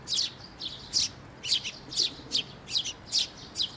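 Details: Sparrows with just-fledged chicks arriving at a bridge over water for food at a Tenmangu shrine on 11 May 2024; dense, high, scratchy chirps, about nine in under four seconds, some paired closely together.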